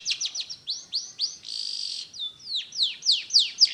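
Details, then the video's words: Long-tailed shrike song: a fast run of sharp, high, down-slurred whistled notes about four per second, broken by a short harsh buzzy rasp in the middle, then more clear descending notes. "Burung Cendet/pentet materi joss"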